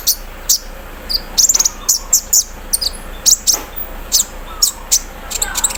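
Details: Sunbird aired out in the morning dew, singing a song said to hold an embroidery-machine imitation: sharp, very high clicking chips in short bursts and quick runs, separated by brief pauses over faint background hiss.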